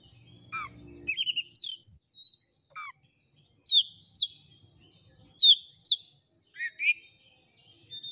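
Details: Oriental magpie-robin rival-provoking song for a bird too lazy to sing: varied loud whistles, sharp upsweeps and falling slurs in scattered phrases, with a brief low hum at the start.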